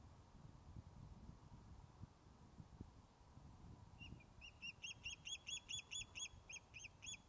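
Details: An Osprey calls from its nest at Loch of Lowes in Scotland, fish-calling after returning from being thought lost: after quiet rumbling, a quickening run of high, sharp, repeated whistled chirps builds to about fourteen notes.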